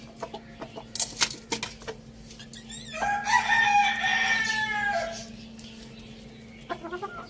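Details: Rooster with a hen, eating spinach on a village farm, gives a loud harsh crow lasting about two seconds, rising then holding and falling away, between scattered clucks and pecking clicks.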